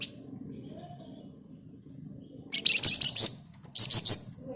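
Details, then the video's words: Flamboyan bird used as a singing lure: after quiet hum, two quick bursts of very high, rapid, buzzy chattering notes, each pulsing several times in under a second. "Burung Flamboyan Gacor Ngebren Rapat Pancingan Ampuh"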